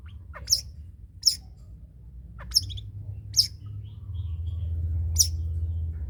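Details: Long-tailed shrike singing in the trotol style, kept as a model song for other birds to copy: five sharp, high chipped notes spaced about a second apart, with a low rumbling hum underneath.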